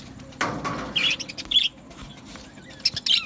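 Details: Aviary budgerigars giving a few quick high chirps, with a brief flutter of wings and low background hum.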